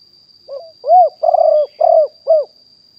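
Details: Wild spotted dove, recorded live in 2021 as a decoy caller. One phrase opens with a brief rising note, then four mellow, hoarse coos, each bowed in pitch, spaced about half a second apart, with a faint steady whine.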